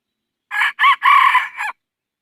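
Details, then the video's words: Rooster crowing once, loud and close: a harsh crow of about 1.2 seconds in four parts, two short opening notes, a long strained middle note and a short falling end, against a quiet background. "Ntsuag lau qaib dib qua zoo zoo dib heev lawm nawb"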